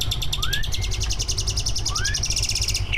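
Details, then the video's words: Greater green leafbird singing a mimicry-rich competition song meant to spur other birds into song: rising slurred whistles and a fast rhythmic trill over steady low-frequency hum. "Kicau burung cucak ijo gacor, prestasi, full masteran. buat pancingan dijamin ikut Gacor"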